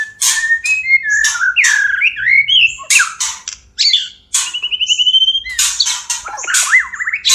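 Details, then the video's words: Mating song of a caged white-rumped shama for stimulating breeding; harsh broadband rasps alternate with slurred whistles and a fast buzzy trill, ending in a jumble of rapid notes. "SUARA PANCINGAN MURAI KAWIN"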